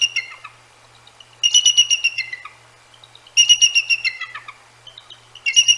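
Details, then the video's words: Nesting pair of Bald Eagles at the Decorah North Nest, around 10 p.m. on 1/18/24, telling off two nearby hooting Great Horned Owls: high, thin chittering bursts of rapid piping notes, three bouts separated by quiet gaps. "Eagles Vocalize at GHOs"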